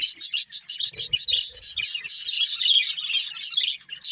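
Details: Budgerigar breeding pair chirping loudly, rhythmic bursts of harsh high twitters about twice a second, with a few soft low knocks early on.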